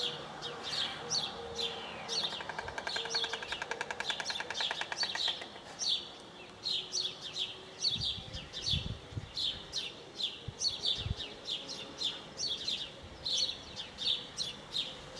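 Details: At Nagyhalász, Hungary, on 23 June 2012 at 13:40, a white stork feeding its chicks clatters its bill in a fast, dry wooden rattle lasting a few seconds, among high chirps repeated about twice a second and a few dull thumps.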